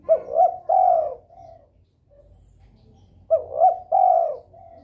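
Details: Breeding spotted dove calling to spur rivals: two loud phrases about three seconds apart, each a quick double rising note then a long smooth coo trailing into softer tail notes.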